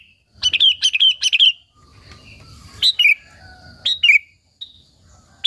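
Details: Sooty-headed bulbul singing vigorously, a lure meant to excite other bulbuls: a rapid run of four or five bright bubbly chirps, then scattered short warbled phrases with quiet between them.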